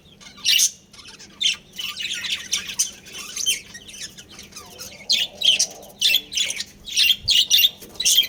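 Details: Pet budgerigar breeding pair chirping in repeated bright, buzzy bursts, each under half a second, separated by short pauses; a steady low hum runs behind.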